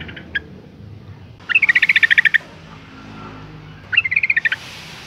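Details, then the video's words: Calling female yellow-vented bulbul, used to stir males into song: a brief chip, then a long fast run of about twelve bright chattering notes, and a shorter similar burst near the end. "suara panggilan burung trucuk betina gacor ngalas tercepat mancing emosi trucukan jantan agar bunyi"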